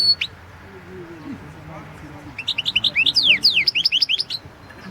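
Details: Competition recording from the 2016 goldfinch song world championship: after a quiet start with a single chip, a European goldfinch bursts into quick, liquid twittering with rising and falling slurred notes.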